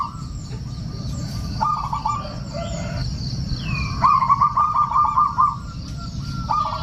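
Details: Lure song of a local male zebra dove, meant to draw rivals: softer runs of fast rolling coos separated by pauses, with a steady low rumble and faint high chirping from other birds.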